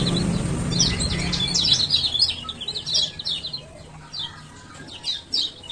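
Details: Male Lemon-bellied White-eye from Lombok giving rapid 'ciak ciak' chirps, used as a lure to get silent birds singing: dense, high, sharp notes tumbling quickly, with a low rumble at the start.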